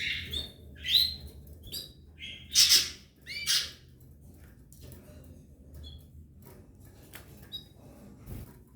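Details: Three Belgian canary chicks in the nest with their parent pair give high, thin chirps and harsh squeaky bursts in quick clusters over the first few seconds; only a few faint peeps follow in a quiet room.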